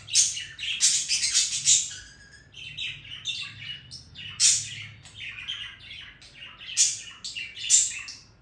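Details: Budgerigar song: dense bursts of rapid chirps, twittering and grating notes tumbling together, swelling and fading in waves with short quieter gaps.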